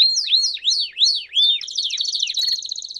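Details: Campainha canary song for training young canaries: four or five loud swooping whistled chirps about three per second, followed by a fast bell-like pulsed trill.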